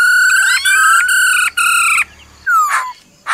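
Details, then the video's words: Female laughingthrush giving "ro ro" calls to stir up a male: long, ringing, strongly harmonic whistled notes held level in series, then a clear downward-sliding whistle after a short pause. "Khướu mái ro ro kích trống"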